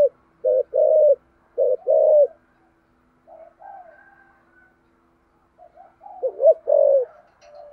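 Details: Deep-voiced thổ sấm style spotted dove in urgent thúc gù cooing. Two quick low phrases, each a short note then a held coo, followed by a pause with soft murmured notes, then another doubled-note phrase ending in a sustained coo.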